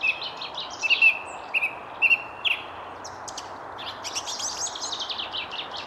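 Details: Song thrush singing in the Jardin du Roi at the Château de Versailles, France, on 19 February around 9:30 on a misty morning with sun breaking through, among many other thrushes: repeated clear whistled notes, then scratchy high phrases over steady background hum.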